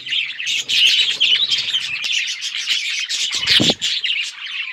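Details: Several budgerigars playing with each other, recorded October 30, 2023, keep up a dense, overlapping chatter of high chirps and warbles, with a few sharper squawk-like notes near the end.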